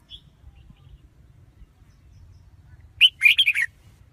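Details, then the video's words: After a low background hum, a red-whiskered bulbul bursts into one lively phrase of five or six rapid, rich chirping notes. "Tiếng chim chào mào"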